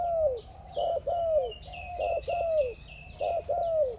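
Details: Spotted dove calling to another dove: repeated loud cooing phrases, each a short burred note followed by a long falling coo, about every second. A chorus of high chirping birds runs throughout.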